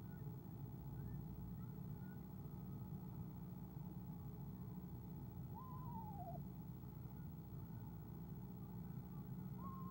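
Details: Owl at a nest camera on 17 February 2015 giving soft trills as its mate arrives; one clear descending quavering note near the middle, with fainter trills earlier and another starting at the end over a low steady hum.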